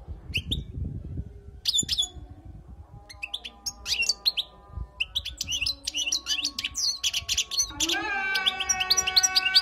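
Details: Wild European goldfinch singing, used for tutoring. Sparse high chirps open the recording and build into dense, fast twittering. Near the end a steady, low, layered humming tone rises beneath the bird.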